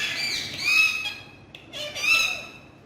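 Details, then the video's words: Talking parrots making two long, rasping squawks with thin whistled overtones, separated by a brief softer gap and a faint click. "Amazing Full Naughty Talking Parrots"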